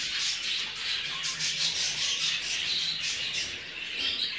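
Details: Show jumbo budgerigars in a breeding flock produce dense, scratchy warbling and chirping in overlapping bursts, with no pause.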